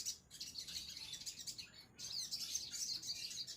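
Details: Crimson sunbird delivering a fast, continuous stream of high, twittering chirps, pausing briefly near the middle before resuming its sharp, busy song.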